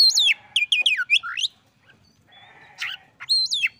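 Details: Oriental magpie-robin answering a rival: a quick series of five swooping whistled notes, a pause with faint hum, then a buzzy note and one sweeping whistle.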